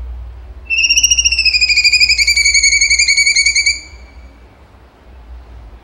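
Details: Cucak cungkok singing a 'tembakan' phrase: a single loud, high whistle pulsing rapidly like a trill, held about three seconds with a gentle downward slide, then quiet low hum.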